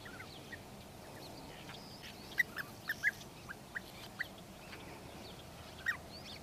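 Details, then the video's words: European bee-eaters (Merops apiaster) call: short, liquid, mid-pitched notes, about eight in quick, uneven succession over steady background hiss. "European bee-eater call"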